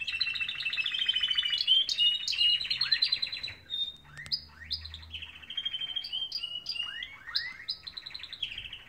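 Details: Canaries singing in the morning: a fast, varied warbling run of high whistled trills, rising and falling sweeps and repeated chirps, loud and continuous with brief pauses, with no other clear sounds.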